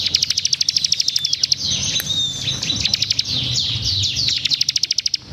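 Bar-winged Prinia singing fast, high, tightly packed bursts of sharp chips, about three per second, with a brief twittering warble in the middle.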